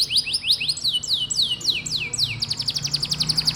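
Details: Canary singing to prompt young or quiet canaries to sing: loud, sweeping down-slurred whistles about three a second that speed into a rapid rattling trill near the end, over a faint low hum.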